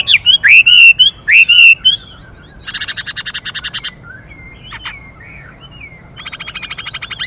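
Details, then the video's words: Male and female Chinese hwamei: a few rich warbled whistles give way to two long stretches of rapid, buzzy rattling pulses from the calling female, with brief faint whistles between. "họa mi hót Đảo Giọng liên tục kèm thêm tiếng chim mái xùy kích bổi nhanh"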